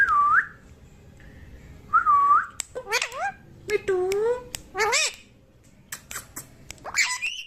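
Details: Young pet parrot indoors, saying mummy: two short whistled falling-rising notes, then a run of clicks and wavering, voice-like syllables with sliding tones, ending in a higher squeaky phrase; quiet room.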